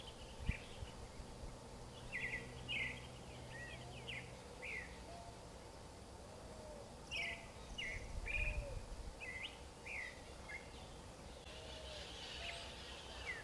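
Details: Creamy-bellied thrush song in bursts of quick, repeated sharp high notes and short slurs, separated by pauses of a few seconds, over a noticeable low hum and background noise.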